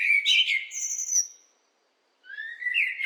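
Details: Blackbird singing a low, fluted warbling phrase that ends in a thin, high squeaky flourish; after a short silence a second mellow phrase begins. The background is quiet.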